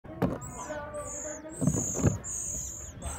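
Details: At a nest where an Oriental magpie-robin feeds its chicks: very high, thin squeaky notes, each drawn out and repeated in quick succession, over low thumps and background rumble.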